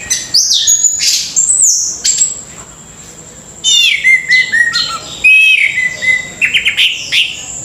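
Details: Orange-headed thrush song: loud, varied phrases of high whistles and sweeping slurred notes with sharp chips, broken by a quieter pause midway. No other clear sounds.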